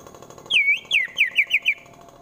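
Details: White-rumped shama, Wonosobo, Central Java, giving a brief rough 'tembakan' phrase used to anger rivals into fighting: one long slurred whistle followed by four quick clipped notes in a tight run.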